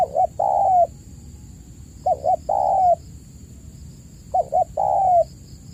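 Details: Spotted dove calling as a lure for caged doves that are reluctant to coo. Three repeated phrases of two brief notes leading into a long, smooth, slightly falling coo. A faint steady high tone sits behind them.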